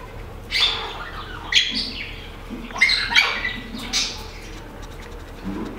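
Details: Great-tailed grackle visiting a garden in the northern zone of Nezahualcóyotl, State of Mexico, giving five or six harsh, squeaky bursts about a second apart, some with thin metallic whistles, over a low hum.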